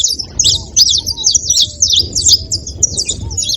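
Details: Flock of saffron finches making noise: rapid, high, piercing chirps strung together, with a few soft, low, arching whistles and steady low hum.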